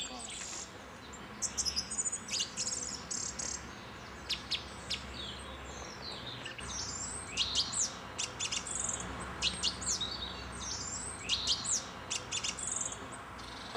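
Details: A song thrush in Côtes d'Armor, France, sings bright, varied phrases, each brief and often repeated, over a steady low background hiss.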